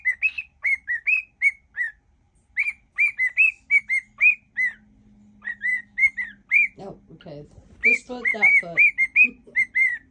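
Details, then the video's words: Pet cockatiel singing to its owner's foot in a mash-up of songs: steady runs of short whistled notes, some upslurred, with a person's voice briefly mixed in near the end. "whistling cockatiel"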